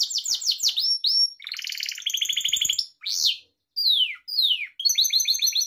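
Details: A Gloster canary, kept as a pet, sings training song: rapid descending sweeps, a deep buzzy roll, an arched whistle, two long falling slides, then a crisp repeated stutter. Continuous, clean, without other noises.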